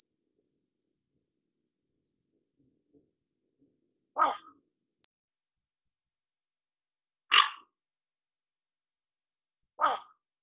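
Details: Pacific reef heron (Egretta sacra) giving three short, harsh, hoarse croaks a few seconds apart, over a steady high-pitched insect drone.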